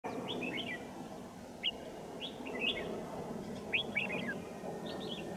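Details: Red-whiskered Bulbul song recorded during trapping of wild birds at Kim Bôi, Hòa Bình, on a winter morning, 3 January 2018: short, bright, warbled phrases in small clusters, spaced irregularly, over a steady hiss of outdoor background noise.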